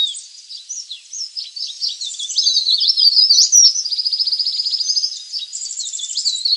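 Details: High-pitched leaf warbler calls used to lure wild birds: scattered thin chips at first, then louder rapid sliding notes and a steady buzzy trill of fast-repeated ticks.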